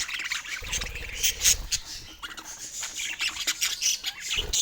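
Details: Pet budgerigars give rapid high chirps and squeaky warbles, with soft low thumps early on, likely from movement.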